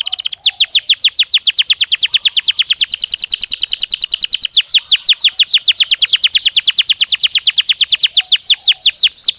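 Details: Belgian canary stimulus song for warming up and training a canary to sing: a long, loud tour of rapid down-sweeping whistled notes, about three per second, steady throughout with no pause.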